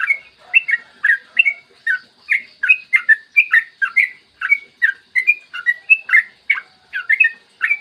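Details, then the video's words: Morning yellow-vented bulbul song played to trigger other bulbuls to sing: a lively, continuous string of liquid whistled notes, rising and falling, about three per second. "PANCINGAN TRUCUKAN AGAR BUNYI burung TRUCUKAN GACOR ROPEL PANJANG"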